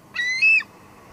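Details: Juvenile female bald eagle at her Two Harbors nest, 16 July 2022, expecting food from her father: a single drawn-out, shrill, high squeal that rises slightly in pitch partway through.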